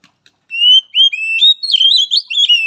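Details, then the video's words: Oriental magpie-robin singing a training and therapy song for a weak-spirited bird: clear rising whistles that build into a fast, warbling run of high slurred notes. "Latihan Suara Terapi Kacer Lemah Mental"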